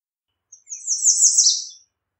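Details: Single high, hissing song phrase of the American redstart, notes run together, dipping at the finish.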